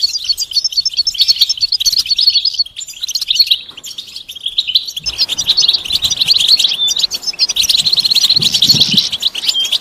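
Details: European goldfinch batbata and satsata song, mating and readiness calls used to coax a silent male into singing: dense, fast, high twittering and tinkling notes, nearly continuous, with a louder busier stretch in the second half.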